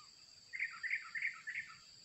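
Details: Red junglefowl from Sumatra, Indonesia, called in with a decoy during trapping, gives a brisk three-part crow: a short opening note, a hurried double middle and a clipped ending, over soft insect and forest background noise.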